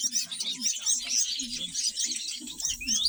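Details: Black-winged weavers nesting on a homestead after the mating season, with males and females building nests from sugarcane leaves, keep up a dense chatter of high, buzzy chirps and squeaks from many birds over a low steady hum.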